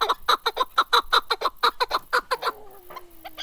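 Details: Series of loud, evenly paced clucking chuk notes from a chukar partridge, locally kaklik, about four per second, fading out after two and a half seconds, then a low steady tone.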